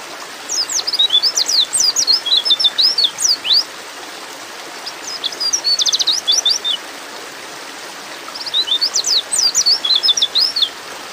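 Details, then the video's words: Female white-eye in breeding mood calling a male: three bursts of quick, very high, sharply slurred chirps and twittering notes, several lasting about three seconds, separated by short quiet gaps over a faint hiss. "terapi pleci bikin cepat ngalas"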